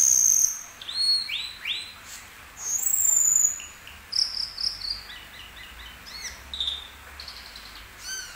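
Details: Asian glossy starling song: a lively string of clear, high, slurred whistles, some rising and some falling, given in short bursts with brief gaps, ending with sharp downslurred notes over a faint hissing background.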